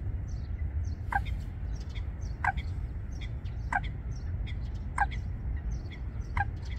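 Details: Eurasian coots, a pair nest-building among aquatic plants at Wangsong Lake, utter five loud, short, sharp notes at fairly even intervals, with soft high bird chirps scattered between them and a constant low hum.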